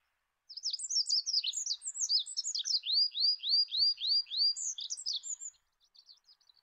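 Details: Olive-backed pipit (Anthus hodgsoni) song, high and rapid: jumbled twitters, then a run of about seven quick down-slurred whistled notes, closing with more scratchy twittering and a faint trailing phrase.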